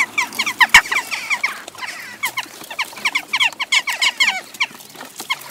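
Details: A flock of western jackdaws, adults with young after the breeding season, squabble while taking over a feeder station in Recke, Germany, on 18 June 2021: dense, overlapping short, sharp, metallic 'chak' notes, several each second.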